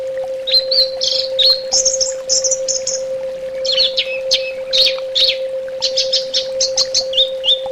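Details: Orange-headed thrush singing a fast, jumbled sequence of whistled and chattering notes, some rising and falling, delivered almost continuously against a steady electric hum.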